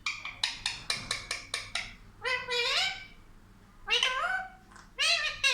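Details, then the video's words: Talking pet parrot, described as speaking like a child, starts with a rapid run of clipped, evenly spaced syllables, then draws out long, meow-like wavering phrases. "बच्चे जैसा बात है हमारा तोता ll Talking Parrot"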